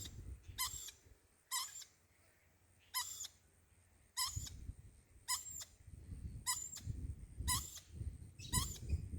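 A lorikeet gives eight short, shrill, rasping screeches, roughly one every second, over a low rumble of indoor noise.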